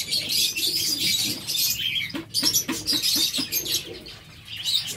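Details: Many caged zebra finches kept in a breeding setup in Sargodha produce a busy wash of high, buzzy chirps and nasal beeps, with a few short lower clicks and soft cooing in the background.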